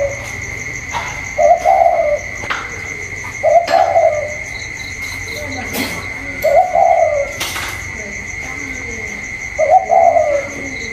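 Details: Spotted dove cooing còi-style against a wild bird outside, recorded 27 October 2022: four short wavering coo bursts spaced about two to three seconds apart, sharp knocks between them, constant thin whine behind.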